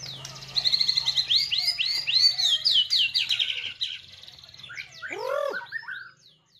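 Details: Caged white-rumped shama pours out a quick series of repeated upslurred whistles, about three to four per second, then shifts to falling sweeps and a low rich arched note.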